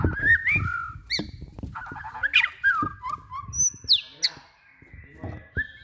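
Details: Bornean white-rumped shama song: mixed whistles, slurred notes and sharp high sweeps at varied pitch, with a noisy low background and irregular clicks.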